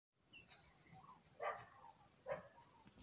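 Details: Distant common cranes migrating north over southwest France for the summer give faint, rolling trumpet-like calls, two louder bugles about a second apart, over soft background hiss with a few thin higher notes.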